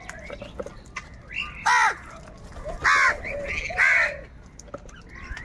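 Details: Crows squabbling over food: three loud, harsh caws spaced about a second apart, each raspy and broad, with fainter caws and calls from other crows between them.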